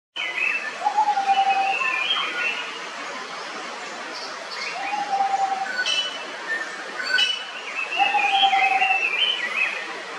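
Malabar whistling thrush giving clear, human-like whistled phrases about every three seconds, over higher twittering from other birds and a steady hiss.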